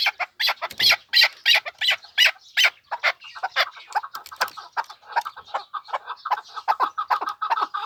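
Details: Pamir chukar partridge giving a fast run of loud, harsh chucking notes, broad and rasping at first, then settling into steadier, lower clucks repeated almost three times a second.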